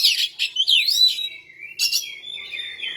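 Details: Oriental magpie-robin singing vigorously: scratchy high twitters and slurred whistles, a brief drop in volume, then a harsh burst and a long, wavering whistled phrase trailing off.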